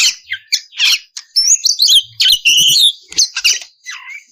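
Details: Oriental magpie-robin song used as a lure to provoke other magpie-robins into singing: harsh, scratchy bursts alternating with bright whistled slurs and chattering notes, in loud, abrupt phrases separated by short pauses.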